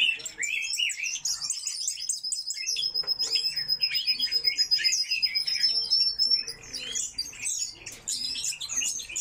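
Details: Coal tits (Parus ater) in an aviary call: thin, high chirps and twittering notes tumbling rapidly, with a sustained high thin whistle through the middle. Other chirping birds overlap.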